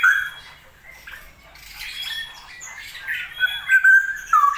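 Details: Straw-headed bulbul, a kept bird, singing during a wet season with frequent rain; soft jumbled warbles that build into louder, fluid whistled glides near the end.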